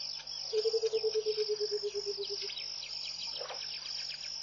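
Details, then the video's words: Bubbling low song of a Burchell's coucal at dawn, Pete's Pond, Mashatu Game Reserve, Botswana, January 2014: about two seconds of quick hollow pulses easing downward in pitch, set against a continuous high-pitched insect drone. "Song of the Burchell's Coucal"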